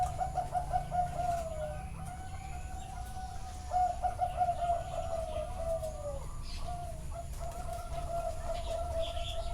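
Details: Zebra doves singing at a bird farm in Chana district, Thailand, heard live: long strings of quick, rolling coos from several birds overlap almost without break, with low background hum and occasional faint higher notes.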